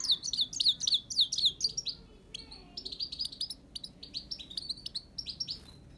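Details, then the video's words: Himalayan goldfinch delivering rapid, bright downslurred chirps in a quick rhythmic series, followed by a steadier sequence of short, clipped high twitters. "Hemalaya goldfinch"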